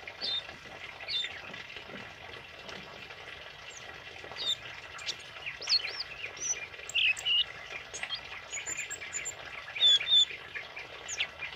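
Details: Tame male kemade singing for use as a tutor recording: scattered high twitters and short whistled upslurs, growing busier after four seconds, with a steady faint hiss in the background.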